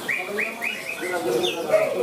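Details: A greater green leafbird sings at a songbird contest in Malinau, North Kalimantan, on 6 February 2022: a rapid run of five short, clear, upslurred whistled notes, about four per second, then a higher note and lower warbles; faint background chatter.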